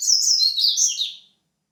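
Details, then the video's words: White-breasted seedeater singing a quick, high twittering phrase of sliding, buzzy notes, lasting just over a second before falling silent. "papa capim Peito branco"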